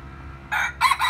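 A crossbred junglefowl gives a quick, harsh crow: a short first note, a brief gap, then a longer, strained, rising phrase. No other sounds stand out.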